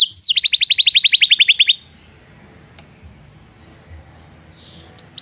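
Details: Belgian canary trill for training canaries that do not sing: a quick run of rapid high repeated notes lasting under two seconds, then near silence with faint background hiss before a final pair of notes.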